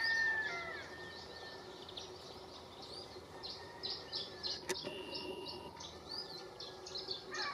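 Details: Wild Atlantic canary perched in a Canary strawberry tree at Valleseco, Gran Canaria, in December 2022. It gives a fast run of short, bright, high chirps, with a few longer whistled notes early on over steady outdoor background noise.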